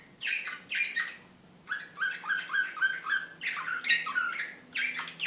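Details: Serbian slavujar canary recorded in Belgrade in 2016 in an agitated mood, giving short bursts of sharp chirps and quick rattling rolls separated by brief pauses, with a faint low hum beneath.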